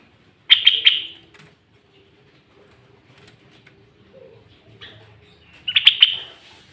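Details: Sooty-headed bulbul singing loud, lively song with fill-in notes, used as a lure to provoke rivals and attract wild birds; two short bursts of rapid, bright chirping notes about five seconds apart, with near silence and faint low hum between.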